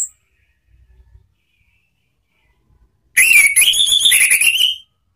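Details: Orange-headed thrush lure song for training cage birds, ngeplong style, a quiet start followed by a loud burst of warbled whistles with quick repeated notes for about one and a half seconds.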